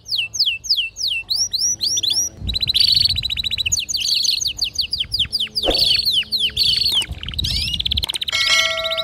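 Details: Domestic canary at home, described as a female calling to mate alongside a singing male; rich varied song of quick descending whistled notes, rapid high trills and buzzy rolls, tumbling phrase into phrase with little pause, faint low rumble beneath.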